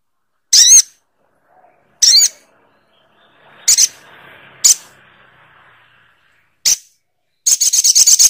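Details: Sogok ontong bird giving loud, harsh screeching notes spaced a second or two apart, ending in a fast rasping rattle of rapid repeated notes.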